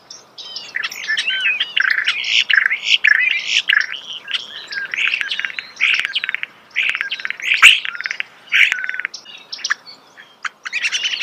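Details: Continuous, rapid starling song heard up close, a busy medley of chattering, whistled, and clicking notes running almost without a break.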